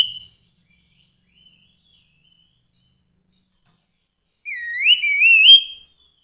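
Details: Grey-headed babbler singing a short phrase of clear whistles that swoop upward and wobble, preceded by a brief faint note and long quiet gap.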